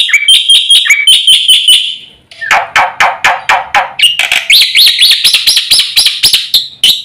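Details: Fast, full black-winged myna song, used to draw out mynas that have stopped singing: ringing whistled notes give way to a burst of harsh, buzzy chatter, then rapid rising whistles tumble together.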